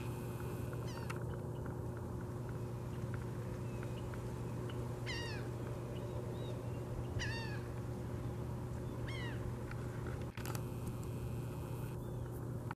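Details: Osprey calls: three bursts of short, sharp whistled chirps sweeping downward, near five, seven and nine seconds apart, over a steady low hum and constant background noise.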